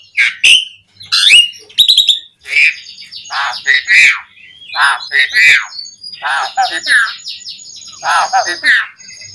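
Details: Asian pied starling song used to provoke other starlings into singing: varied harsh chatter, squeaky notes and short whistles in irregular bursts, with a high thin whistle running through.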